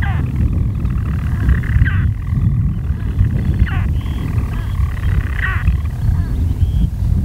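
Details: European storm petrel purring steadily from its burrow by day, 5 June 2013, Skokholm, Pembrokeshire, Wales, broken every couple of seconds by a sharp hiccup-like note, over heavy low rumbling wind noise.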